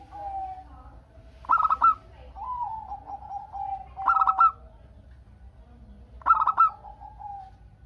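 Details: Local perkutut, the zebra dove, sings to draw replies from other doves; three phrases, each a quick rolling coo burst then a descending string of softer coos, repeated roughly every two and a half seconds in quiet surroundings.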